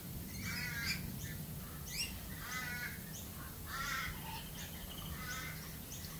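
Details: Australian galah giving rasping, screechy calls with a buzzy grating tone, repeated about once a second against a steady low rumble of background noise.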